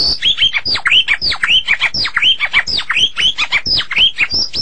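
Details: Medan white-rumped shama singing gacor: a rapid, continuous stream of sharp high downslurred notes repeated several times a second, sounding like a loud, insistent twittering.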